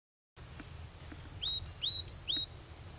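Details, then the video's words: Coal tit singing a short run of high, thin two-part notes, each a quick upslur then a dip, repeated about five times in quick succession over a low background rumble. "Mésange noire"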